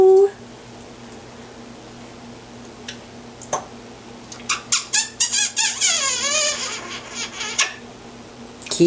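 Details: Pet African grey parrot, nearly 18 years old, chatting indoors with its owner: after a quiet stretch, a rapid series of short squeaky clicks and chirps, then a quick descending whistled flourish and a few final squeaks.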